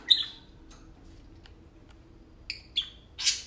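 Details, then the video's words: Two pet parakeets, tame and playful, indoors; a few isolated high chirps and short whistles with long quiet gaps, closing on a harsh squawk. "Tame parakeets talking and playing"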